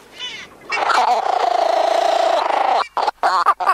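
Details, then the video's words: An ibis gives a loud, nasal, drawn-out call lasting about two seconds, then a quick run of short, harsh, clipped notes. "Ibis Sound Effects"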